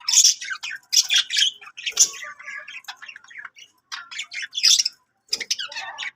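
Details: Budgie song with loud, harsh squawks set between softer, slurred chirps, coming in bursts with a clear pause before the final outburst.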